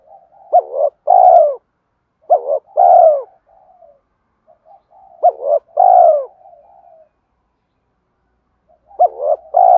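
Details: Lure recording of a spotted dove's fighting coo for trapping wild doves: deep, mellow phrases of sharp hooked notes and a long, sagging coo, repeated four times with quiet trailing murmurs.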